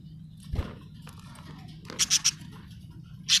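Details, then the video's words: Happy pet budgerigar giving a few quick high chirps in a small room, a short burst of three bright notes followed by another after a pause, with a soft knock and steady low hum behind. "happy budgie chirping sound"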